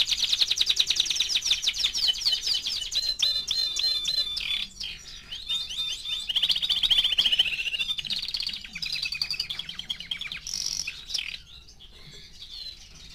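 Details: A four-month-old male canary sings a long, varied song of rapid trills, rolling tours and bright whistled phrases, mostly high-pitched and continuous.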